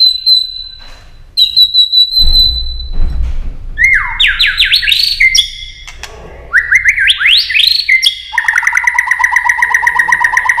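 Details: White-rumped shama singing a long, stream-like song meant to rouse other shamas for competitive singing. Steady high whistles, a low rumble, then stepped rising whistled phrases, ending in a fast, even, pulsing trill.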